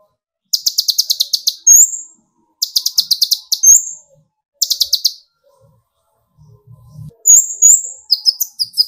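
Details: Olive-backed sunbird, locally kolibri ninja, in lure song to trigger other birds: three rapid trilled chip bursts each ending in a sharp whistle, a pause, then quick varied high twittering.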